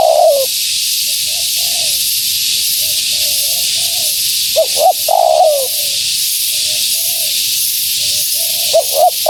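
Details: Female spotted dove luring wild doves: loud long falling coos separated by softer murmured coos and occasional quick paired notes, over persistent hiss.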